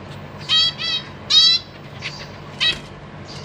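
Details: Caged zebra finches, a breeding pair with juveniles and new fledglings that have just left the nest, 14 April 2023; bright buzzy harmonic calls, two loud ones close together early, then softer notes and another call near the end.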